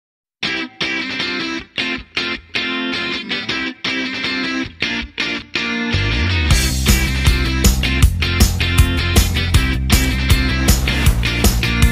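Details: Loud rock music with chopped guitar chords, then full band with heavy drums and bass; no animal sound is heard.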